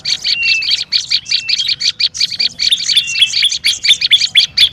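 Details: Olive-backed tailorbird, a noisy lure recording: rapid dry buzzy chips in a dense, steady chatter, broken by short level whistled notes, on a quiet background.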